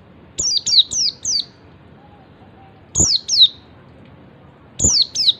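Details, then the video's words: Oriental white-eye giving its ngalas call, a master recording meant to set other white-eyes calling. A run of four thin, high whistles slides downward, followed by two pairs after pauses. Each note opens with a sharp click. "MASTERAN PLECI NGALAS SUARA CALL BIKIN SEGALA JENIS PLECI LAIN IKUT NGALAS."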